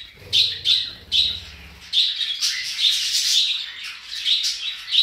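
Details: A pet rainbow lorikeet that acts like a budgie gives bright, rapid chirps and warbles in the style of budgie chatter.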